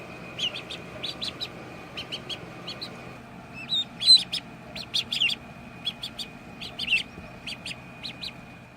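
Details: Little ducks giving thin, high peeps in short bursts, some doubled, spaced irregularly over a steady background hum.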